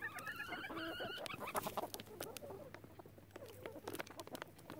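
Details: Relaxed flock of chickens with loud rooster crows absent; mixed clucks and drawn-out tonal calls, brief harmonic notes overlapping, with sharp clicks and pecking taps and a steady low hum behind.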